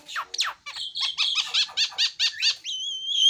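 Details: Javan myna singing: two steep downward squeaky sweeps, then a run of about eight short, evenly spaced chevron-shaped notes, ending in a long, steady high whistle.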